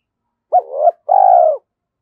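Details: Decoy spotted dove, stimulated into cooing, in the 'giọng thổ' voice style: a short two-part phrase, a brief hiccuping note then a longer, even, hollow coo falling slightly at the end. No other sounds.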